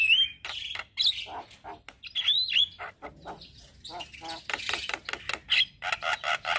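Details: Male black-winged starling, morning song used to lure and tutor starlings: clear upslurred whistles followed by scratchy chatter and a fast series of harsh pulses toward the end.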